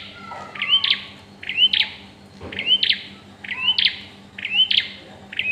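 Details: Bar-winged prinia at the pairing stage calling steadily: short rising whistles, each ending in a harsh buzzy flick, spaced under a second apart. A fainter second bird note and low hum sit underneath.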